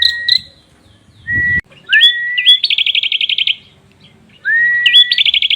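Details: Prinia singing with a rich, varied phrase: an upslurred whistle running into a level tone, a quick looping note, then a fast, even, buzzy rattle of high notes. Brief low rustle before the second phrase.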